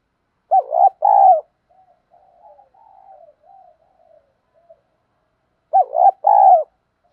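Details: Spotted dove cooing in the 'thổ đồng' voice, used as a lure to train fresh birds to coo: two loud two-part phrases with a stretch of faint, soft, warbling murmurs between.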